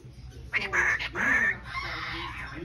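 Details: A sulphur-crested cockatoo in a pet shop in Richfield, Minnesota gives two harsh, raspy squawks about half a second apart, then a fainter drawn-out screech, over an indoor background hum.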